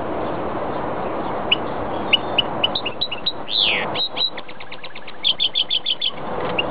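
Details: Song of a goldfinch and greenfinch hybrid: scattered clear chirps speed up into a twitter, with a harsh buzzy downslurred note midway and a quick burst of rapid repeated notes near the end.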